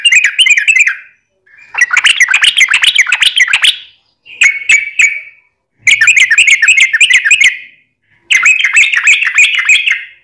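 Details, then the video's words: Yellow-vented bulbul singing, used as a lure to prompt other bulbuls: several long bursts of fast, bubbly chattering notes, each lasting one to two seconds and separated by short silences. "SUARA trucukan gacor ROPEL PANJANG pancingan trucukan agar bunyi"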